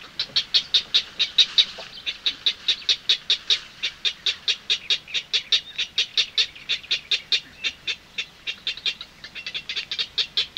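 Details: Purple heron chicks, with a nightingale distant, give a rapid, steady series of dry, high clicks, likely bill-clicking, about four per second, sustained without pause.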